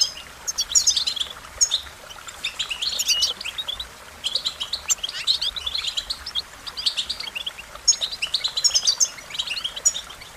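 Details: High, jumbled warbling and twittering from an American goldfinch, delivered in bursts separated by brief lulls, with occasional piercing whistled notes.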